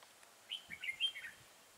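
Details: A single short warbling phrase from a red-whiskered bulbul duelling with a caged decoy bird at a trapping site in Vietnam, April 2018: quick fluttering whistled notes rising and falling, clear over quiet background.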